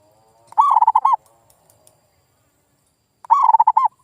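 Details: Zebra dove lure call for prompting silent local birds to reply: two rolling, trilled coo phrases nearly three seconds apart, with a faint steady hum before the first.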